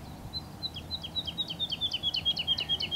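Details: A breeding woodlark in Luxembourg vineyards sings a fluid, accelerating series of sweet, downslurred notes that run together into a rolling trill, over faint low background rumble.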